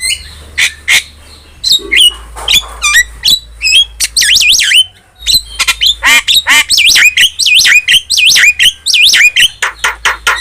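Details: Starling singing loudly, as tutor song for caged birds: scattered clicks and chips building into a long run of fast looping, bending whistled notes repeated in quick succession.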